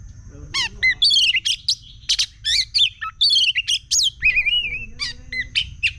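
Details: Oriental magpie-robin in an excited, agitated song: rapid bursts of high chirps, buzzy notes and sliding whistles, with a steady faint high tone and low hum behind.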